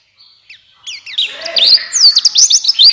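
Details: Buxtoni white-eye singing to prompt other white-eyes: begins with a thin level whistle and a few paired chirps, building into a loud fast run of high bent notes.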